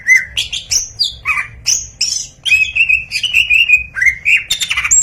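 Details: Greater green leafbird singing a lively varied phrase meant to make other birds sing quickly: slurred whistles jumping between pitches, short buzzy notes, then a run of repeated clear chirps and a few harsh rasping bursts.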